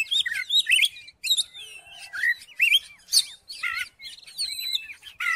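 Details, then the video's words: Oriental magpie-robin singing, meant to stir a silent magpie-robin into song: rapid, richly varied whistles, slurred notes and scratchy bursts follow one another with brief pauses, all high and clear against a quiet background. "KACER MACET MALAS BUNYI??? COBA DIPANCING DENGAN KICAUAN KACER INI"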